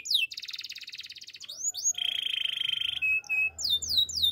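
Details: Singing male canary: a high pulsed trill, a sharp upward slide, a dense buzzy roll, two short clear notes, then repeated falling whistles.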